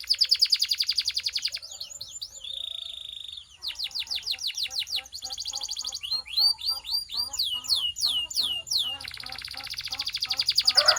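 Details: Canary training song: a dense rapid trill, a steady flat whistle, then varied series of falling sweeps, closing with another loud fast trill.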